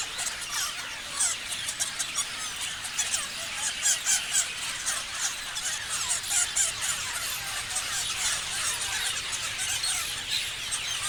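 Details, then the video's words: A busy group of parrots chirps constantly; quick sharp squeaks pile on each other, with louder bursts standing out every second or so. "Parrots chirping sounds"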